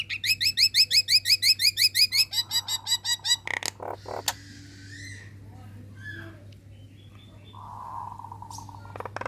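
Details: Female Nias hill myna calling to males, a relaxed chattering display meant to lure rival birds into answering. A fast run of about twenty bright, clipped, rising whistles, then scattered harsh clicks and a drawn-out nasal note over a steady low hum.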